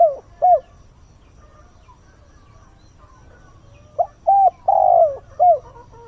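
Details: Dawn calling by a decoy spotted dove meant to excite wild birds. The end of one phrase opens the clip. After a pause, a complete phrase follows with short coos, a long, loud, falling coo and a closing coo.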